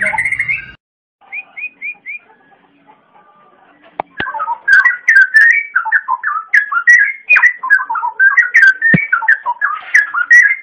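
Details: Green leafbird pouring out a loud, varied whistled song for training young birds: short, quick, warbling phrases that rise and fall, nearly three notes a second, after a few brief opening whistles.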